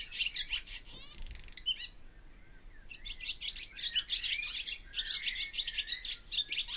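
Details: Barn swallow twittering, a dry buzzy rattle near the start, then a long energetic run of chirps and squeaks.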